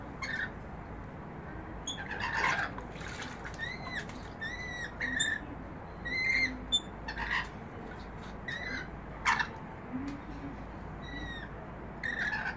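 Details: Several rainbow lorikeets taking a bath at a balcony bird bath give a steady stream of short squawks and clipped, whistled chirps, some rising, every second or so, with splashing clicks between them.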